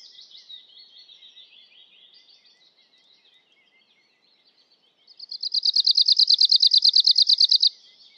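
An Arctic warbler gives a fast, dry, high trill of about ten even notes a second for over two seconds, after softer, scratchy twittering.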